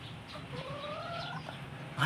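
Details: Pet hen answering when greeted, a drawn-out soft tonal vocalization with two parallel gliding bands held for about a second, over low room hum and faint background noise.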